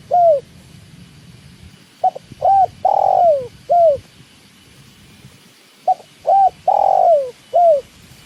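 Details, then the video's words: Spotted dove (tekukur) heard alongside the sound of water, giving two full phrases: a quick clipped note, an arched coo, a long sliding coo and a final falling coo, repeated after a short silence. "with tekukur and the sound of water"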